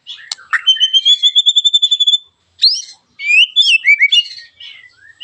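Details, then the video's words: White-rumped shama song meant to spur other shamas to sing: a long high whistled trill, a pause, then a burst of quick varied whistles and slurred notes. "TEMBAKAN TAJAM KASAR burung MURAI BATU gacorr memancing agar murai anda ikut NEMBAK"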